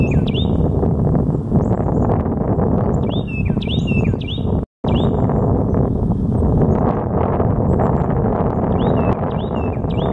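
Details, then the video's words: A Carolina wren sings loud, rolling phrases of repeated two- and three-note groups in quick bursts, over a steady low roar like wind or distant traffic. "Carolina Wren"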